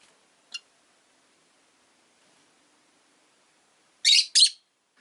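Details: Caged rosy-faced lovebirds, five birds kept in a cage by a window: one short high chirp, then two loud harsh shrieks close together near the end, with quiet gaps between.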